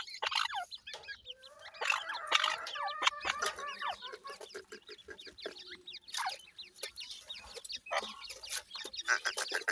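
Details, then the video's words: Grey francolin (dakhni teetar) chicks giving soft, high, short chirps that curve downward, scattered among a dense run of sharp clicking and tapping sounds, with brief louder bursts throughout. "grey francolin cute baby talk,dakhni teetar checks voice"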